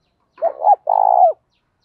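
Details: Stimulating coo of a spotted dove to draw other doves into calling: a wavering two-part coo rising then dipping, then a sustained rolled buzzy note ending in a downward slur, no other sounds.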